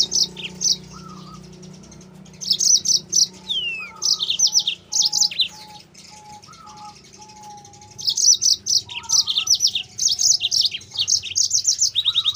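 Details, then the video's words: Yellow-fronted canary song meant to tutor and lure other canaries: clusters of sharp, high twittering notes in fast runs separated by short pauses, with lower, softer whistled notes repeating in the background. "MASTERAN BURUNG MOZAMBIK GACOR"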